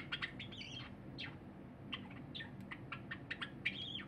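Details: A cinnamon Java sparrow sings a run of soft clicks and tinkling, bell-like notes ending in a brief whistled flourish, over low room hum, while a silver Java sparrow quietly eats nearby; recorded 23 January 2021.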